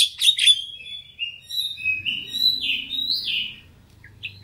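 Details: Oriental magpie-robin lure song for fighter kacer, meant to draw out a full repertoire: a few loud opening chips, then smooth rising and falling whistles that fade, over a quiet low hum.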